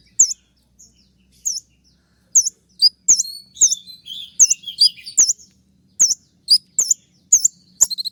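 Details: Konin song as a 'tembakan' training master for caged birds: loud, sharp hooked whistles repeated about once per second, with brief twittering runs between them, clean background.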